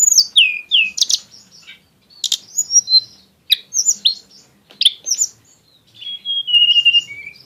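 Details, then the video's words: Varied song of a tledekan gunung, with an exotic style and crisp shots: falling whistles, sharp high clicks and short chattering bursts, ending in a drawn-out descending whistled phrase. "kicau tledekan gunung yg punya gaya exsotis dan tembakan yg mewah"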